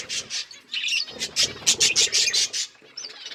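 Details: Budgerigars kept as pets, several birds chirping in quick bright bursts, a rapid run of sharp high chirps clustered through the middle, mixed with soft chatter.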